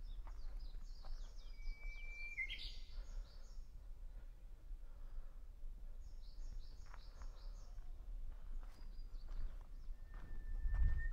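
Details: Japanese bush warbler singing often at Hansōbō, Kenchō-ji temple, Kamakura, Japan, on 6 June 2020. A long steady whistled note breaks into a quick rising flourish, and another long whistle comes near the end. Thin, repeated high chirps and a low outdoor rumble sound throughout.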